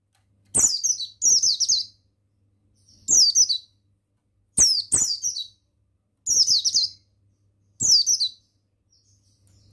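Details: Male mountain white-eye of the buxtoni type, recorded as a master track to spur other white-eyes to sing. Six short, very high, thin, descending twittering bursts, some doubled, each opening with a sharp click, separated by silences.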